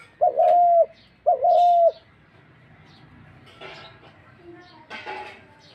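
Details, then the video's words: Dove giving two loud, steady, even-pitched coos about a second apart, followed by several seconds of faint scattered background noises. "Dak Gugu pakhir dove"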